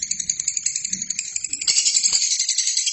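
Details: Lovebird song in a recording for training other birds: fast, rattling high chatter that grows louder and denser halfway through.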